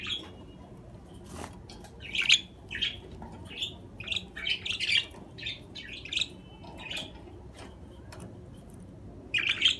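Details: Budgerigar chatter: a lively run of quick, squeaky chirps and warbles packed densely through the middle, preceded by a click and a quieter opening.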